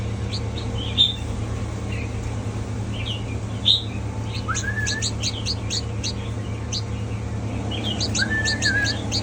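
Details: A mutant red-whiskered bulbul sings a mix of quick high chirps, rapid clusters of sharp notes and two longer slurred whistled phrases that drop and waver, set against constant low-pitched background hum.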